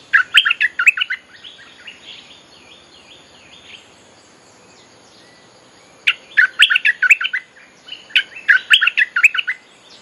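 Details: Streak-eared Bulbul lure song, used to call wild birds and to teach young birds: bright, choppy bursts of quick chirping notes, about two a second. Long, soft, fainter whistles fill the pauses between bursts.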